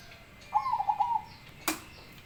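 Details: Big-voiced zebra dove singing a single rolling phrase of bubbling, wavering coos lasting under a second, followed by a sharp knock or click.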